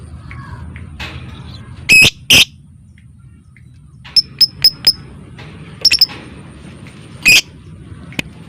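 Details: Lovebird giving ngetik and ngekek style calls, played as a lure to set other lovebirds singing and mating: scattered sharp, harsh chirps, several quick clicky notes in a cluster midway, then a final loud squawk over low background hum.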